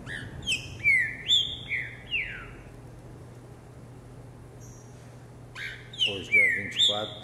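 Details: A captive Green-winged Saltator hops and sings loud, clear, downward-slurred whistles in two bursts of about four phrases separated by a pause, with a faint man's voice; 10 a.m., 24 December 2020.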